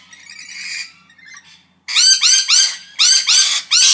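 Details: Parrots calling: a faint scratchy call first, then after a pause a loud run of harsh, arching squawks in tight groups of two and three.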